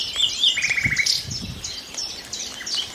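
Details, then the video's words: Nightingale song with a rapid run of repeated notes forming a dry trill, framed by scattered high chirps and whistles against quiet natural background noise. "A few minutes of lull with the sound of nightingales"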